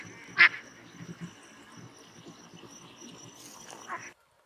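Gadwall giving two short, nasal duck calls, a loud one at the start and a softer one near the end, over a faint steady hiss.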